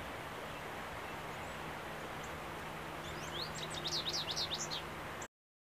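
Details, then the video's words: American goldfinch song marking territory, 30 April 2015: after a stretch of quiet ambient noise, a rapid burst of high, sweet, wavering twitters lasting about a second and a half, then the sound cuts off. "American Gold Finch Song"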